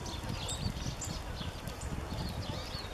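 Eurasian siskin giving thin, high, wheezy call notes, short and slurred, repeated several times over a steady low rumble of background noise.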